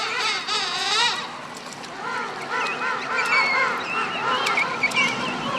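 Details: Penguins in a colony on the French southern lands during a stop at Crozet: loud, rapidly warbling, trumpet-like overlapping calls as an adult returning from feeding and its chick recognise each other by voice.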